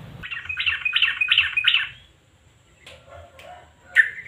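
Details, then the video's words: Sooty-headed bulbul in 'nguklik' style, used to prompt quiet birds to sing: five quick, buzzy chattering notes, near silence, then soft scattered notes and a final bright rising call. "Trucukan GACOR NGUKLIK kombinasi GARUDA yang BISU pasti IKUTan bunyi"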